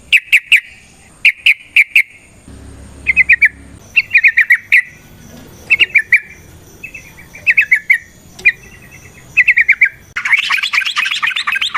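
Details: Yellow-vented bulbul song used as a lure for other bulbuls: short clusters of liquid whistled notes repeated roughly every second, ending in a rough, noisy burst of chatter.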